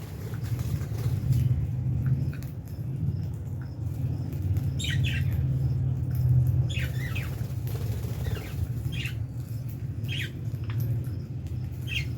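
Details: Fischer's lovebirds sharing an aviary with albino birds, calling during feeding time: short high chirps repeated at uneven intervals of one to two seconds through the second half, over a loud constant low hum.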